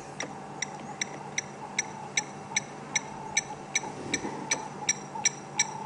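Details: Blacksmith lapwing (Vanellus armatus) gives sharp, metallic 'tink' calls like a hammer striking metal, two or three a second over a low hum, on an afternoon-to-sunset safari drive near a dam wall, 25 March 2016.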